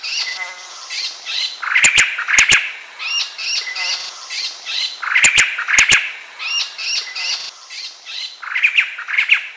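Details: White-crested laughingthrush giving cycles of scratchy chatter that swell into loud, harsh cackling bursts, with several sharp clicking snaps cutting through the sound at about two and six seconds.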